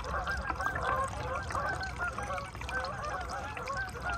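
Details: A large flock of Canada geese at a lakefront in Aroostook County, Maine, on 10 November 2021 during the autumn migration, with busy, overlapping nasal honks and no pauses.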